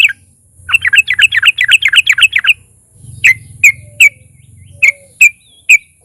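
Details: Sooty-headed bulbul, a frequently singing fighter bird, used to provoke song from other bulbuls: a fast series of rising chirps, then six loud, separate sharp notes spaced about half a second apart, with a steady high whine behind.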